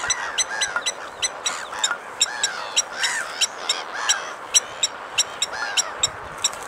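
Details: Blacksmith lapwing giving sharp metallic clinking notes, repeated several times a second, over dense hiss, with arched whistled calls rising and falling around them.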